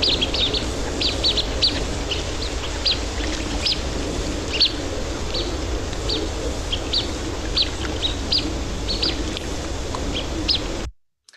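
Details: Blue-winged Teal, a small duck whose call does not sound like a typical duck, giving thin, high peeping whistles, short and repeated several times a second, over a steady low rumble.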